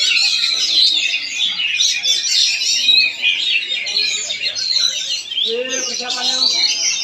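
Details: Kacer, the Oriental magpie-robin, from Palangkaraya, Central Kalimantan, pouring out fast, varied high phrases: piercing whistles mixed with scratchy chatter. Toward the end, lower harmonic voices rise underneath.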